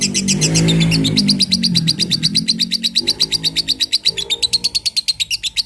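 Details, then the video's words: Lovebird singing, recorded to train other birds: a continuous, rapid series of high, sharp chirps, about six per second. A louder, low, harmonic background sound covers the first two seconds and comes back briefly later. "Pemasteran love bird"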